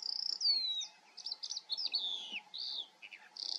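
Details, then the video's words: Eurasian skylark in the Eifel region of Germany delivering a run of twittering phrases, sliding whistles and short rattled trills, broken by brief pauses. "Feldlerche vor der Kamera. Eurasian skylark observation"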